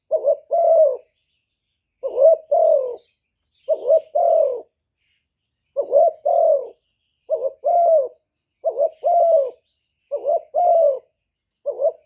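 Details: Decoy spotted dove giving cooing song used to excite other doves; about nine low, hoarse two-part coo phrases over twelve seconds, each a short note followed by a longer mellow coo, separated by brief silences.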